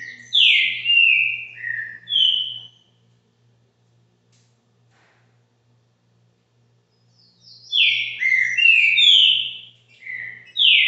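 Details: Green-winged saltator kept at a private home in Brazil, singing in the caxinguelo style: loud whistled phrases of slurred, falling notes, a burst of about five notes, a long silence, then a second run of rich whistles; faint low hum beneath.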